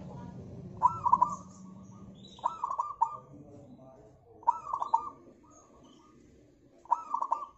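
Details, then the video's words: Local zebra dove singing, used as a lure to get other birds to sing: four low cooing phrases, each a short burst of rapid bubbly, rolling notes, repeated roughly every two seconds over faint low background hum. "PANCINGAN AMPUH PERKUTUT LOKAL SUPER GACOR"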